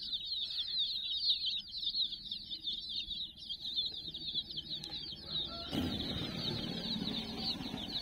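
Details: A flock of around sixty young chicks busy with a toy puppy, peeping shrilly and steadily throughout; a broad rushing noise joins for the last two seconds.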